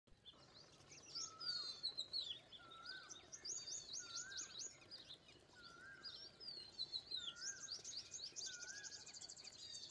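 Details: Indian pied myna: rapid, busy chattering of high squeaky and whistled notes, with a lower slurred whistle repeating about every one and a half seconds underneath and a steady background hiss.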